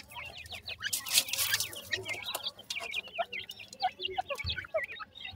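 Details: A group of francolin chicks cheeps in quick high downslurred notes, briefly masked early on by a loud rushing hiss.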